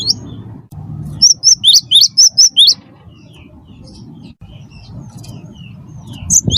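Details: Lively cinereous tit (wingko) singing to prompt other birds: one rapid string of about seven high, ringing whistled notes, then near quiet with faint distant chirps and a low background drone.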